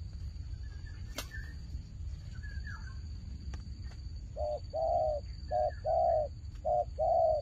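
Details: Quiet start with a sharp click and faint higher calls, then a turtle dove in a fight breaks into loud purring coos, alternating short and long, about one per second.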